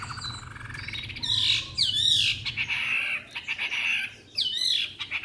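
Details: White-rumped shama, a caged three-month-old bird in Hanoi, Vietnam, sings on and on: sweeping whistles sliding downward, buzzy harsh notes and sustained tones, broken by short pauses.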